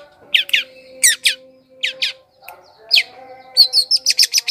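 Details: Long-tailed shrike song used as a lure for wild birds: sharp buzzy downslurred notes in short bursts, then a fast series of about eight scratchy chips near the end, over a steady low hum.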